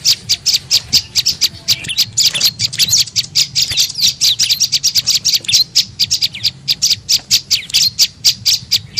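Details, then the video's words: A tailorbird (prenjak lumut) lure call to attract other birds, heard as busy, high twittering and chirping, rapid and irregular, with dense overlapping notes. "SUARA PIKAT BURUNG PRENJAK LUMUT"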